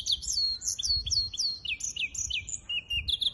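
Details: Singing hybrid finch recorded 23 April 2023, delivering clear downslurred whistles repeated at a quick pace, then twittering notes and a brief level trill, loud and close.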